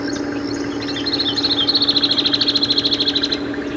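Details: In dry desert country of Africa or Arabia, a wild shining sunbird starts with scattered high twitters that run into a long, rapid, regular trill lasting about two seconds, with a constant low hum underneath.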